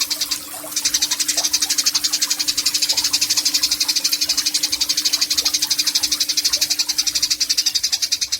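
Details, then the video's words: Sustained 'nyecret panjang' chatter from a Eurasian tree sparrow, recorded for song training in Yogyakarta, Indonesia, 29 October 2022; after a short hesitation a dense, buzzy rattle of rapid pulses runs on steadily above a faint low hum. "BURUNG GEREJA GACOR , NYECRET PANJANG"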